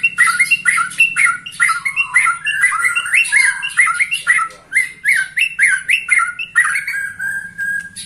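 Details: A 21-year-old white-rumped shama sings energetically, repeating short loud two-part whistled notes about twice a second in a steady driving series, with sharp high accents over a faint low hum.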